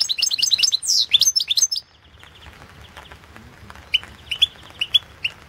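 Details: Balkan European goldfinch singing for the 2016 World Championship in Goldfinch Song: dense fast twittering with a loud falling whistle, followed by sparse single high chirps spaced about half a second apart.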